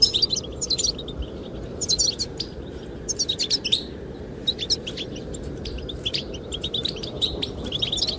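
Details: Goldfinch chirping to attract the female: short bursts of high twittering notes separated by gaps of a second or so, set against steady rushing wind.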